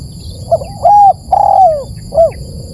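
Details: Lure call of a spotted dove: a soft opening note, a level hooting coo, a long coo gliding downward, then a short closing coo. A steady thin electronic tone runs throughout.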